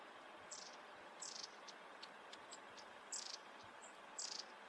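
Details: Long-tailed tit of the Hokkaido form, in winter, giving thin, very high 'tsee' notes and short buzzy trilled bursts, scattered irregularly about once a second over a steady background hiss.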